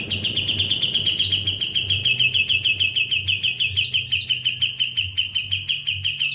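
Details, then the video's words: White-eye (kapas tembak) singing continuously without pause, meant as tutor song for other birds: an unbroken, quick train of bright, high chirps, about three each second, topped by occasional thin warbled notes over a faint low hum. "Kapas tembak Gacor tanpa hopp. Cocok buat masteran"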